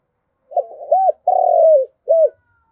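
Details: Low, mellow flock-gathering call of a decoy spotted dove: a quick soft lead-in, a rounded coo, a long vibrating coo sliding down, and a brief arched final note.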